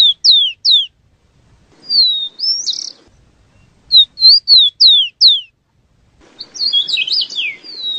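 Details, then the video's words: Rufous-collared sparrow: clear, high whistled notes slurring downward in quick groups of three to five, ending in a rapid jumbled twitter, over a faint low rustle. "SUARA BURUNG TICO TICO"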